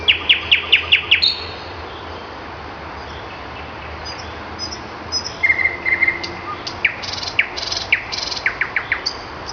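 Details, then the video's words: Common nightingale song played for children as an example, called loud, beautiful, tender and charming; rapid high clicking trills and piercing whistled notes in bursts over a steady background hiss. "ви послухали спів пташки А чи ви не знаєте як вона називається Так це спів солов'я соловейко дуже красиво гарно співає"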